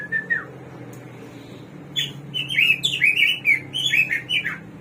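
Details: A short whistle opens, then after a pause the hwamei (samyong, garuwa), the bird of 1001 voices, bursts into a fast run of varied high, slurred whistles and chirps that rise and fall in quick succession.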